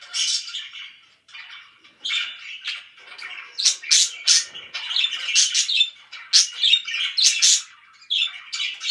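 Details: Very loud budgie chirping in a room: scratchy warbled chatter with sharp, high squeaks and bursts that rise and fall, plus a short lull near the start.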